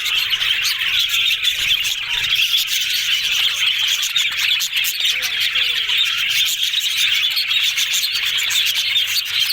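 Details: Yellow parakeets talking happily: busy overlapping high chirps and scratchy warbles from several birds, with a few lower honk-like notes rising and falling midway through the chatter.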